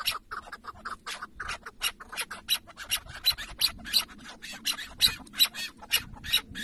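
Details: Tethered chukar partridge decoy at a hunt in Şırnak, Turkey: quick, bright, irregular chuk notes near three per second, some strongly accented, with a steady faint hum behind them.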